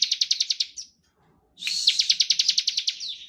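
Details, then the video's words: Bar-winged prinia in energetic ngebren song, played to coax other prinias to sing. Rapid buzzy pulsed notes run for under a second, then a half-second silence, then a longer, louder pulsed trill. "Ciblek gacor ngebren standar - Pancingan untuk ciblek"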